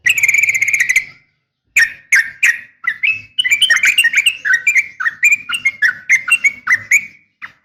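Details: Female sooty-headed bulbul calling a male, a sharp fighting-style rapid call: a quick burst of bright chirps, a pause, then a long run of clipped two-part notes, each dipping then rising, tumbling in fast succession.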